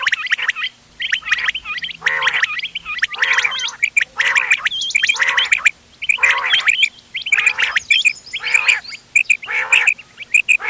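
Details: Hunting mix of ghonge wal, doghla and changa quail voices from 31 October 2025: rough, gargling harsh bursts repeat about once a second, with thin high whistles in between.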